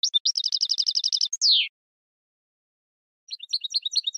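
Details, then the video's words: A goldfinch delivers a rapid chattering trill that ends in a falling nasal slur; after a pause of nearly two seconds, soft twittering notes resume. "10 Hours of Goldfinch Song"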